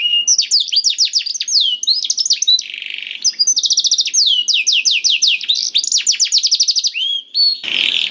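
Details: Canary song used to prompt a reluctant caged bird to sing: fast rolling trills of repeated downward-sweeping whistled notes, shifting between phrases, with a brief buzzy rasp near the end.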